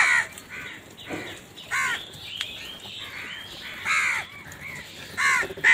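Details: Crow cawing in the morning during a search for food: raspy caws in loose bursts, louder ones near the start, middle and end, with a few fainter distant caws between.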